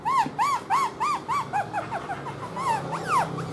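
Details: A caged, tame black-throated laughingthrush in its singing display, tail fanned, repeats mellow arched whistles about three per second, breaking into faster, scattered sweeping notes.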